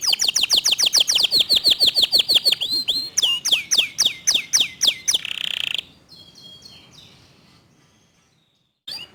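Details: Local canary delivering clear, fast, tightly packed tembakan song: about five seconds of rapid high repeated notes, each a sharp downward sweep, ending in a buzzy burst, then near silence and one final chirp.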